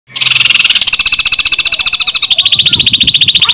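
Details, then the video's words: Greater green leafbird singing a loud, fast rattling song of rapid repeated notes, about three and a half per second, shifting to a higher doubled pitch midway, imitating lovebird song. "CUCAK IJO GACOR FULL SUARA LOVE BIRD TEMBAKAN RAPET"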